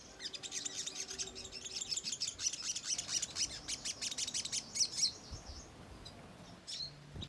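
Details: Ruby-cheeked sunbird (sogok ontong) in lively 'gacor nyerecet' chattering song, used as a lure to agitate young birds into answering: rapid high-pitched chirps and ticks packed into continuous bursts, with a few sharper notes near the end.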